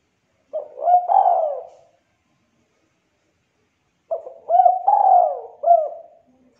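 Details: Spotted dove with a thick, clear voice, singing in the 'culhu kuk 2' style. A shorter cooing phrase and then a full four-part phrase, separated by a few seconds of silence; each hooked note bends up, then down.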